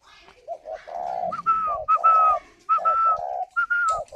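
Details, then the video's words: Spotted dove kept in an aviary near Hanoi, Vietnam, cooing while incubating: low rough coo notes alternating with higher clear slightly falling whistled notes, in a repeated phrase. "chim cu gáy hay vừa ấp vừa gù"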